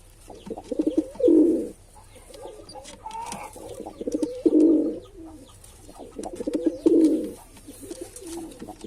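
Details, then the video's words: Three full, rumbling coos from a male pigeon at even intervals of about three seconds, each introduced by a stutter of brief soft notes, with light background clicking. "Pigeon Sound Effect"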